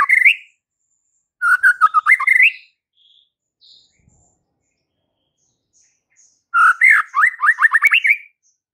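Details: White-rumped shama singing to incite fighter males, with a short rising note, a stuttering warbled phrase, a long pause with faint notes, then a fast climbing run of upslurred notes.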